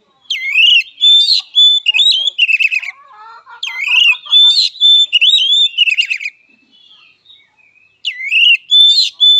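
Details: Fighting song of an oriental magpie-robin: three bursts of loud whistled and slurred phrases with rapid rattling notes, separated by short pauses, with a softer low chattering sequence between the first two bursts.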